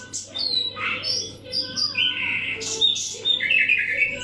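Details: A wild-caught common nightingale, kept caged for a year and fed special nightingale food, sings a varied run of rich whistles, trills and chirps.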